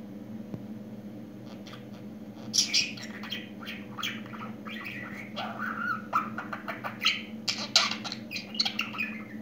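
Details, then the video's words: Pet budgerigar that has just begun talking, rattling off rapid chirps, clicks and scratchy warbles in bursts, some notes sharp and high, with a constant low hum in the room. "Yeni Konuşan Muhabbet kuşu"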